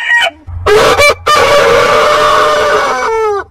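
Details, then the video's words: Rooster crowing: brief clucks, then a long, sustained, buzzy crow that holds level for nearly two seconds before fading with a falling harmonic tail. "Rooster Crowing"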